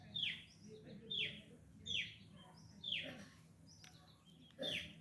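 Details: Wild cinereous tit, found for the first time and singing energetically: sharp high notes that sweep downward, repeated about once a second in a steady series, with a low background hum.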